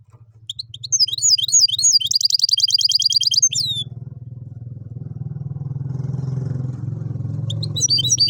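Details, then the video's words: Goldfinch-canary hybrid in tibetano and tuitero style sings a lively twittering phrase ending in a quick high trill, then a loud engine-like rumble takes over before the song briefly resumes. "Jilguero híbrido tibetano y tuitero y canario"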